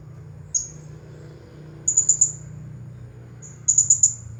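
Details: Singing Blue-crowned hanging parrot, a champion bird in the 'nagih hutang' style: a lone sharp high note, then two clusters of four fast, piercing chirps about one and a half seconds apart.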